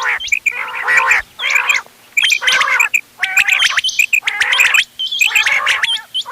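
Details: Quail mix for hunting, 31 October 2025: loud, coarse buzzing bursts roughly every second, each topped with sharp, high whistled flicks; brief quiet gaps between bursts.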